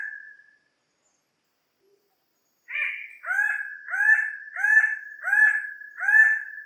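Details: After the tail of one drawn-out note and a pause, a bird-of-paradise gives six rough, ringing calls in quick regular succession, each slightly upslurred, with nothing else audible.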